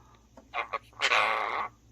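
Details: One of two pet parrots practising words like "반갑습니다" (nice to meet you) and "착해요" (good) with its owner one morning, one pronouncing in a low, AI-like voice: two quick clipped syllables, then a longer, raspy speech-like phrase over faint hum.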